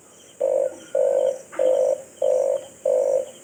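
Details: Red collared dove giving low, level cooing notes, each about a third of a second, evenly spaced about every half second, over a faint steady high hiss.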